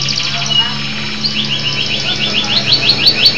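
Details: Local canary singing energetically: a fast high trill, then a run of rising whistled notes repeated about four times a second, with a low steady hum underneath.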